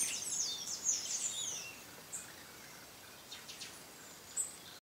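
Red-necked tanager giving a quick burst of thin, very high, sibilant notes, then a few scattered single tsip calls against a quiet background.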